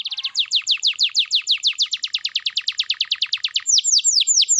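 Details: Canary in full song, played to prompt silent canaries to sing: a fast run of repeated high downward-sweeping notes, about three per second-fraction, shifting near the end to slower, lower arched whistles.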